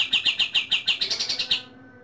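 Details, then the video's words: Pied triller (kapas tembak) at dawn giving a 'tembakan' burst: about ten sharp, high chirped notes in quick, even succession over one and a half seconds, ending abruptly into quiet. "Tembakan KaTem di Subuh hari"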